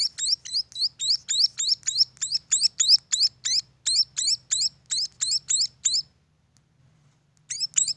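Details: Young munias give quick, thin, high chirps repeated around three times a second, then fall silent for over a second before the chirping resumes near the end.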